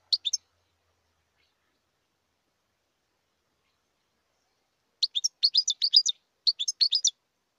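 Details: A wild European goldfinch, recorded in 2020, opens with three sharp high chirps, falls silent for several seconds, then delivers two quick runs of tinkling, jangling twitters in clean quiet surroundings.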